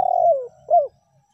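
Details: Spotted dove (tekukur) lure call, of the meratus or melambung type. The meratus pressures a rival, and the melambung is an ordinary call when things are quiet. A low, mellow coo slides downward, then a second, shorter rounded coo follows.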